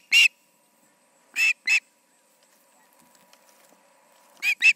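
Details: Ospreys at a nest on an August evening around 7 pm: a few scattered sharp, high whistled chirps separated by quiet gaps, with a faint steady hum in the background.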